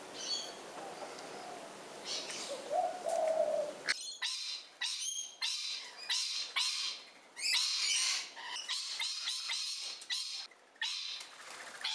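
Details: Rainbow lorikeets in a garden on the Central Coast, NSW, Australia give harsh, grating screeches in rapid bursts of about half a second, several a second, after a quieter start with faint twittering.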